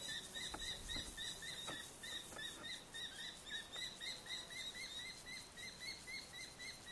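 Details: Common kestrel (Falco tinnunculus) giving a fast, shrill run of sharp 'kee-kee-kee' notes, about three or four each second, with a few soft knocks early on.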